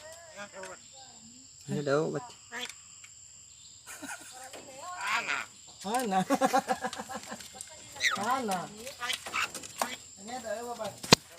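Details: Captive Javan myna that can talk, kept by a family member, producing a run of speech-like harmonic phrases with quick clicks and short whistled slides, bursts coming irregularly over eleven seconds against a steady high background hum.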